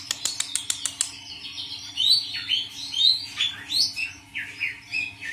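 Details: Caged Oriental magpie-robins kept together in a colony to reduce skittishness. A rapid series of sharp taps, then clear whistled notes and short slurred phrases, repeated roughly once a second.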